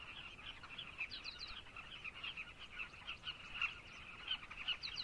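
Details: A busy colony of carmine bee-eaters in Zambia gives short, rolling, throaty calls that overlap without pause into a steady, chattering chorus.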